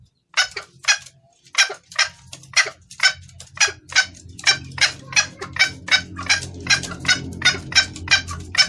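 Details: Female junglefowl, clear-voiced, calling the male as a lure: a quiet start, then sharp clucking notes that quicken to about three a second, roughly twenty calls, with a low hum growing behind.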